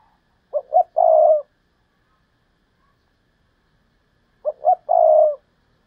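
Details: Decoy spotted dove giving the Thúc Lợi Cốt call: a three-part phrase of two brief coos and a drawn-out third note, repeated twice about four seconds apart, with nothing else audible.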